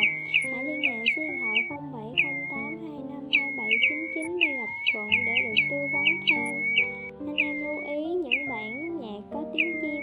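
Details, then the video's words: Pacific golden plover gathering its flock, from a 2020 recording: dense, quick whistled notes that slur downward, repeated in clusters for ten seconds, over continuous background music. "Tiếng Choi Choi Lông Cườm , Tiếng Choắt Long Vàng Gọi Bầy Mới Nhất 2020"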